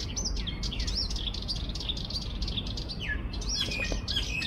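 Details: Sardinian warbler (Curruca melanocephala) recorded 21 March 2024 at 6:42 am, giving quick, scratchy, high chirps and twittering phrases in bursts over a steady low rumble of wind or background noise.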